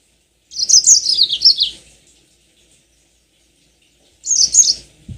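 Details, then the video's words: Yellow-fronted canary lure song for making birds sing long rolls: a lively phrase of about a second of high, stepwise falling twittered notes, a long silence, then a shorter bright burst. "Pancingan tercepat burung mozambik biar gacor ngerol panjang"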